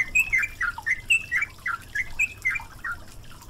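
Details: Yellow-vented bulbul song set over flowing water to train caged birds: quick, tumbling whistled notes, about three per second, dipping and rising, with a constant watery hiss beneath.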